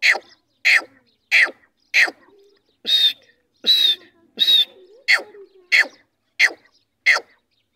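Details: Female grey francolin, known as teetar, uttering clipped harsh calls in a regular series about every 0.6 seconds, a few middle notes carrying a higher whistled tone.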